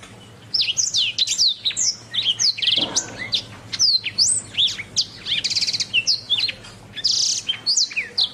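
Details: Canary singing a long, lively phrase of sharp rising and falling whistles mixed with quick rattling trills and a couple of dense buzzy bursts, bright and high-pitched, the notes packed closely together.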